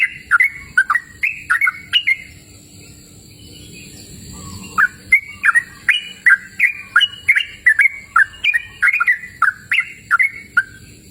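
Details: Sooty-headed bulbul singing lustily in the open air: a steady stream of bouncy, whistled note clusters that rise and fall, with a brief lull before the phrases resume at a brisk pace.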